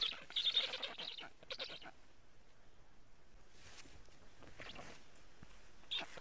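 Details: Black stork chicks begging on their nest in Estonia, caught by a live nest camera at 11:15 on 15 July 2017: raspy, hissing bursts of rapid squeaky notes in short series about every second or two, with quiet rustling gaps.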